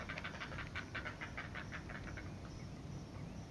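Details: Great blue heron chicks begging while a parent feeds them at the nest: a quick run of harsh, raspy pulses, about ten in under two seconds, then fading into a steady low rumble of background noise.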